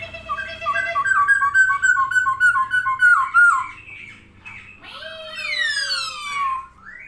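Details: Caged Chinese hwamei singing actively while opening its wings: a fast run of rich, harmonic warbled notes around mid pitch, then loud descending slurred whistles and a lower rising whistle.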